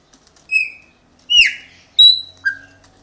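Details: Caged Chopi blackbird kept as a pet in Brazil, reacting to its owner: four clear whistled notes about half a second apart, one sweeping sharply down, another short and low, with a faint hum behind.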